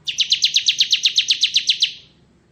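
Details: Ciblek kristal ngebren song of a bar-winged prinia, meant as tutor song for magpie-robins; one fast, steady trill of roughly fifteen bright, rasping chirps that slowly tails off.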